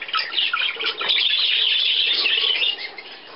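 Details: Budgerigars at millet on 17 May 2010, with visitors from Leer; a dense, continuous chatter of high chirps and squeaky warbles, loudest through the middle and fading near the end.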